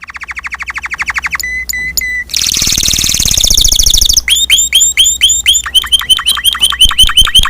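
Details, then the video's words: Spanish Timbrado canary in song, moving from a quick low trill to spaced whistled pips, a dense buzzy roll, then loud repeated upswept chirps at a rapid, even pace. "Kicau Kenari Timbrado Espanyol"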